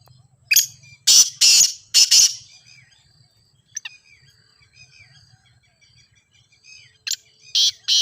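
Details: Grey francolin (ghogha teetar) calling, played for training captive birds: loud harsh rasping notes in a quick run, followed by faint chirps and a low hum, ending with another set of grating bursts.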